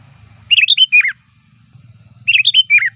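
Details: Sooty-headed bulbul song, loud and varied, used to call bulbuls: two quick bubbly phrases of four descending, slurred notes, nearly two seconds apart, with a faint low rumble beneath.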